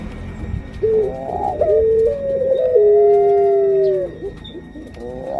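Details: Puter pelung dove hen, kept as a pet and about to lay eggs, utters one long smooth coo. It steps up in pitch, holds, and then fades, over a rumbling low background hum.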